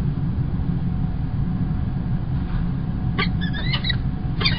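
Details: Kingston College, UK, 1 March 2021, a male peregrine falcon arriving with early breakfast: after three seconds of low rumbling background, a burst of short, sharp harmonic calls.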